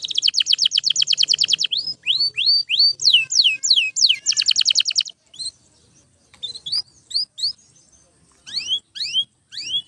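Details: Canary belting out song for training other canaries: a dense fast trill, then rising and falling whistles and another trill, followed by scattered softer upswept chirps with short silences.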